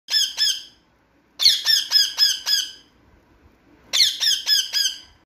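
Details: Talking parrot indoors in a small room, giving harsh, high, rasping squawks in quick bursts: two notes, a pause, then a run of five, another pause, then four more, each note sharp and evenly spaced.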